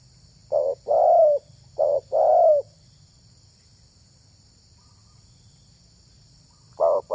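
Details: Spotted dove, used to lure other doves, gives two pairs of low coos, short then long and falling, followed by a long silence and a new start.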